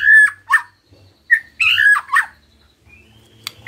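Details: Caged white-rumped shama, set singing by a lure recording, utters scattered rich whistles and harsh notes in short bursts, with soft low hum between them.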